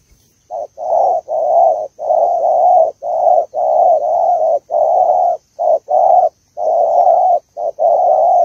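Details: Female spotted dove of Malaysian stock calling to stimulate the male: a fast, uneven run of mid-pitched, hoarse coos, each about half a second long, nearly back to back with brief gaps. A faint steady high tone runs throughout.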